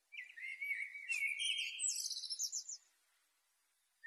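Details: Black flycatcher singing energetically, as a master song for home birds: a sustained high whistled note running into fast, tumbling twitters and trills for about three seconds, then silence and a short chirp.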